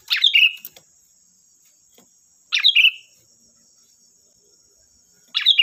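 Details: Lively sooty-headed bulbul song played to provoke other bulbuls into singing: brief chirpy, tumbling phrases with a bright start and lower warbled ending, repeated about every two and a half seconds, with a constant faint high-pitched hum behind.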